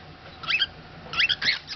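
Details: Cockatiel (Nymphicus hollandicus), a male pet bird, gives two quick bursts of harsh, squeaky, high-pitched chirps while excited and biting, attacking around his favourite towel indoors.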